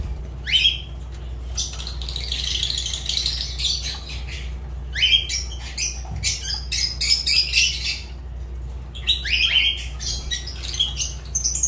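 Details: Fischer's lovebirds give shrill, harsh chirps rising sharply in pitch, in bursts roughly every two seconds with busy rasping chatter between them, over a steady low indoor hum.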